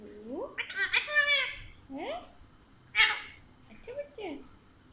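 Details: Pet Alexandrine parakeet, described as playful, intelligent and talkative, speaking in Urdu/Hindi: two bright, raspy, harmonic word-like bursts with lower gliding voice sounds around them, in a quiet room.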